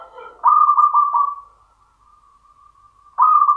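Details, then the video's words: Champion local zebra dove in the classic Mataram rhythm: a loud pulsing coo that trails into a long, quiet, even tone, then another loud coo begins. "PERKUTUT LOKAL IRAMA PAKEM MATARAM JUARA"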